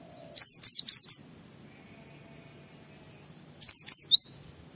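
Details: Gacor white-eye (pleci) song meant to stimulate other white-eyes to sing: two bursts of three or four very high, slurred whistled notes in quick succession, separated by about three seconds of near silence.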